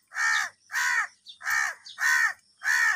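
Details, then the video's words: Harsh, grating caws from crows quarrelling over food, five strong evenly paced calls in three seconds, each a hoarse half-second burst. "Kaka sound and noises of Crow birds | Crow bird Fight for Food | Angry kauwa ki awaaz"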